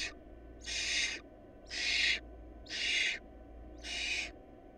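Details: Barn owl nestlings short of food call with loud, evenly spaced harsh hissing screeches, about one per second, each half a second long, with a low hum in the background.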